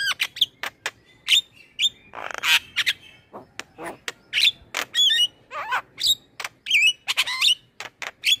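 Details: Male Javan myna in varied song as tutor material: irregular sharp clicks, a broad rasping squawk, and many short twisting whistled phrases mixed among ticking notes.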